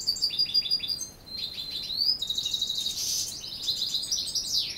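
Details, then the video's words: A European goldfinch sings its evening song at dusk, a fast, tinkling run of high twittering notes and liquid trills, with buzzy rattles mixed in, in near-unbroken chatter, at times partly covered by singing canaries. "Το βραδινό τραγούδι της καρδερίνας"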